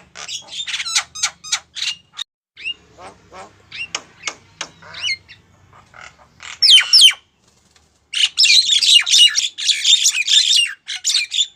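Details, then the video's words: Female Javan myna calling to a male, giving spaced sharp clicks and squeaky whistles that build into a loud, continuous harsh chatter in the second half. "suara burung jalak kebo betina manggil jantan"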